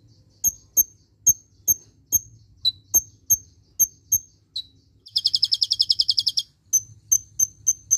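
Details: A purple-throated (Van Hasselt's) sunbird, recorded as a tutor song for training other birds, gives sharp, very high chips about three times a second, then a fast buzzy trill before the chips resume.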